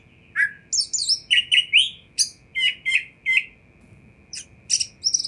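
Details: Oriental magpie-robin song meant to draw responses from other magpie-robins: a brisk run of clear whistled phrases, short rising slurs and sharp high chips, about two notes a second, over a constant low hum.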